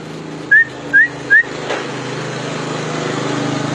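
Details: Common iora singing: three short clear whistles, each rising quickly, spaced about half a second apart, then quiet over a steady low engine-like hum.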